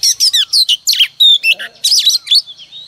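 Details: Oriental magpie-robin female, used each morning to prompt males to sing, delivering a loud, continuous run of sweet whistles, quick trills and slurred high notes, with brief gaps between phrases and no other sound.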